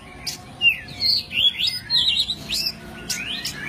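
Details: Kacer poci, the white-breasted oriental magpie-robin, in a forest-fill master song for tutoring songbirds: bright warbled whistles twisting up and down, delivered in a fast, fluid string with a few sharp clicks.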